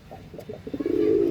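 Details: Andhra line pigeon starting with soft stuttering notes that swell into a loud, sustained, purring coo.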